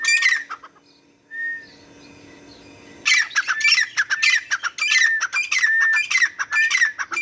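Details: A pair of Grey francolins (teetar) calling, loud harsh squawking notes repeated rapidly in bursts, after a brief quieter pause with a single whistled note.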